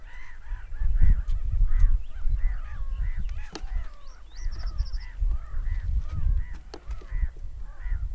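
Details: Seagulls screaming: a crowd of harsh, arched, nasal cries overlapping in quick succession, with a brief run of thin high ticking notes midway, over a steady low rumble.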